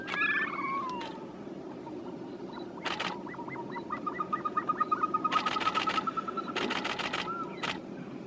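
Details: Caspian snowcock giving a drawn-out whistle that slides downward, followed by a long run of rapid, evenly spaced notes, with bursts of broadband noise between.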